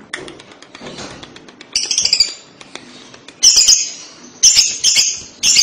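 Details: Lovebird kekek, played to draw a young lovebird into calling: faint ticking at first, then loud bursts of harsh, high screechy chatter repeated about once a second.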